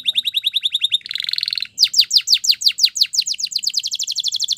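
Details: Spanish Timbrado canary giving a training song. A quick chirping series runs into a short buzzy trill, then a loud run of upward-sweeping notes that speeds into a dense rolling trill.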